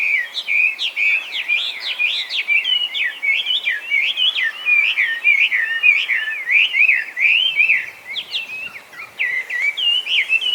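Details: Chinese hwamei, a mimicking songbird gone wild in Japan after release from captivity, pouring out a long, nonstop series of varied whistled notes, jerky upslurs and downslurs tumbling together in rapid, changeable phrases.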